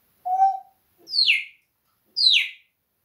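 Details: Parrot that swears at the cat, heard as one level whistle followed by two bright, falling whistled calls, each about half a second long.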